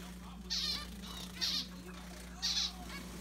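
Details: Juvenile bird begging its parents for food with loud screaming calls, three strong harsh bursts about a second apart and faint chatter in the gaps, a constant low electrical hum underneath.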